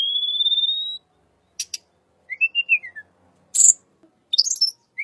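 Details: Little pied flycatcher, described as having a unique voice and used to attract white-rumped shama: a long steady thin whistle, clicks, a short warbled phrase falling in pitch, then high buzzy notes.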